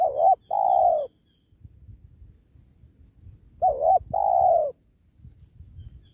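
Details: Spotted dove calling to lure wild doves during trapping beside a sacred tree. Two double-note coos come about three and a half seconds apart, each a wavering note then a longer falling one, with faint rustling and low noise.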